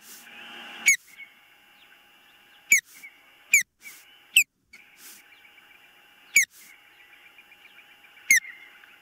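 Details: Osprey at its nest on a nest camera, 19 April 2024, about 21:13; six sharp, high whistled calls, each sliding steeply downward, spaced irregularly over nine seconds above a steady electrical hum and faint background chatter.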